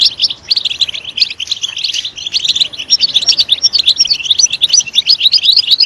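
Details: Sustained European goldfinch song for stimulating goldfinches to sing: fast, sweet twittering notes strung together, growing louder and more rhythmic toward the end.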